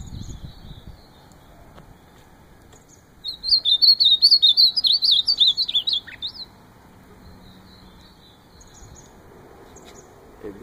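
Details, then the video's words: Ultramarine grosbeak giving one bright, warbling whistled phrase lasting about three seconds, with a quiet pause before and after and faint background hum. "Azulão cantando top"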